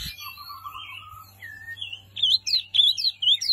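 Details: Small white-eye, known as wambi mini, in lively song: it opens with thin, drawn-out whistles, then breaks into a quick series of sharp, wavering high chirps, over a low background hum.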